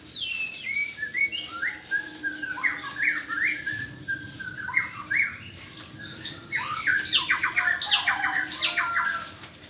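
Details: Varied song from a white-rumped shama in the morning, with whistled slurs and chattering notes, speeding into rapid stuttering trills near the end, over a steady low background hum.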